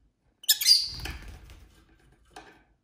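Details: Pet lovebird in a small indoor flock: one loud, raspy, high chirp, followed by rustling and fluttery noise that slowly dies away, then a faint click.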